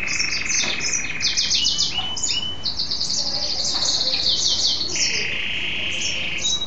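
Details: Caged male mule goldfinch hybrid singing after a bath: fast twittering phrases mixed with long steady whistled notes and rattling trills, high and bright, with low background hum.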